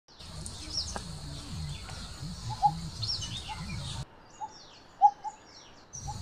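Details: Pair of coppersmith barbets; a short, hollow, low tonk note repeated about once a second, with a rumbling low hum and a faint high steady tone in the background, which drop out partway through.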